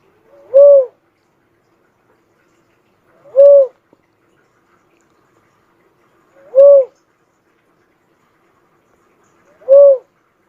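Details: Repeated calls of a cuckoo-dove, known locally as uncal: four low, rounded hoots, each brief and slightly rising then falling, delivered at a steady pace roughly every three seconds against a quiet background.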